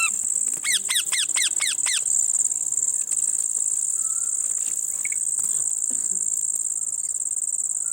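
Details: Parrot eating lemon utters a fast series of about six short, rasping notes, each sliding downward, in the first two seconds. Afterward only a dense shrill insect chorus remains.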